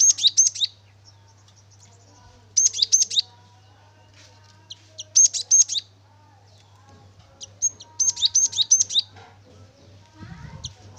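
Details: Actively singing cinereous tit, known locally as gelatik batu, offered as a lure to prompt others to sing: four bright, high, rapid chirp bursts about every two to three seconds, with a constant low hum beneath.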